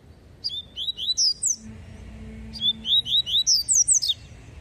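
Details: Double-collared seedeater singing the tui tui song style: two bright phrases of quick, sharp whistled notes that slide up and down and are delivered in rapid runs, with a quiet room background.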